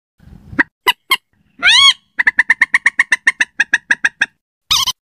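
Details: Slaty-breasted rail lure call meant for use at night; a few sharp notes, one harsh rising squeal, then a rapid run of about fifteen evenly spaced, clipped notes, ending in a loud rasping burst.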